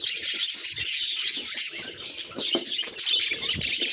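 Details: Budgerigars kept as pets, a lively stream of high squeaky chirps and rapid warbling twitter, loud and continuous with brief dips and soft rustling below.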